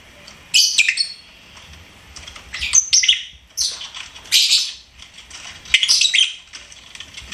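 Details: Pet lovebird chirping and singing: bursts of shrill, buzzy chirps and squeaky notes, a few grouped at a time with short pauses between, some faint clicking in the background.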